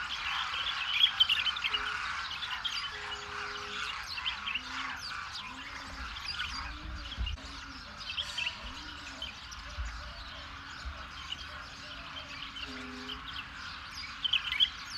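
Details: Large wintering flock of Demoiselle Cranes in Rajasthan, India, sheltered and fed by villagers; a dense, continuous chorus of overlapping chattering and squawking calls, with low droning tones underneath.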